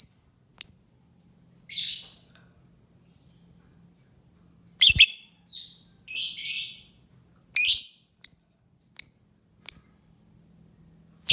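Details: Lovebird mixing thin high chirps with rasping, buzzy squawks, delivered in irregular bursts separated by short silences.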